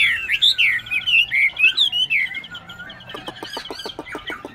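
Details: A tame captive Chinese hwamei in Bình Chánh, Ho Chi Minh City, Vietnam, with a twisted hind claw. It sings a loud, rich run of varied whistled phrases, rising and falling, ending in a quick series of sharp repeated notes.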